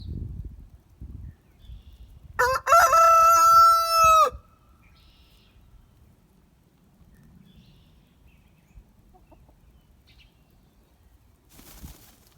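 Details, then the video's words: Rooster crowing and shaking: one loud, drawn-out crow of about two seconds with a rich, brassy, harmonic tone, held steady then cut off. Soft rustling and low thumps come before it, with faint noise near the end. "Rooster crowing"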